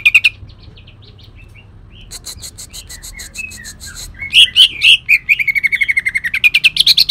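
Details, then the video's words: Rough bursting song of a leafbird from Kalimantan, mimicking long-tailed shrike: quiet scattered whistles first, then loud chattering chips building into a rapid trill that climbs at the end. "cucak ijo kalimantan tembakan kasar"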